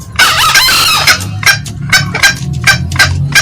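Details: Green junglefowl, male and female, on a loud lure recording: a long, hoarse, crowing burst opens, followed by uneven, short, harsh cackles over a droning low hum.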